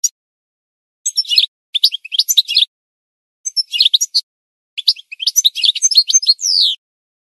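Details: Goldfinch song for birds to learn from: several separate bursts of fast, jangling twitters with short pauses between, the last ending in a drawn-out, buzzy, descending note.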